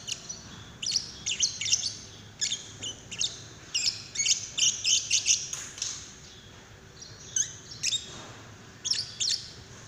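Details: Lovebird calling to coax another lovebird into song: dense bursts of shrill, squeaky chirps in rapid clusters, pausing briefly around the middle before more sharp high notes resume.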